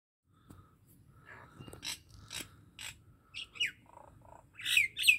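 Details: Common myna singing in a Pakistani Punjab village: scattered harsh chirps, broad noisy bursts and descending whistled notes, growing louder toward the end with paired squawky phrases.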